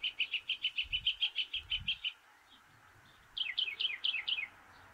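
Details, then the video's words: Northern mockingbird on its favourite perch atop a stove pipe: a fast string of about a dozen identical bright notes, a pause, then a burst of quicker downslurred notes. "Northern Mockingbird singing and preening"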